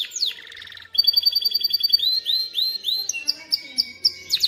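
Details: Canary singing to teach young birds and prompt females toward mating: a descending note and short rattle, then varied phrases of rising whistles and quick upslurs, with twittering notes at the close.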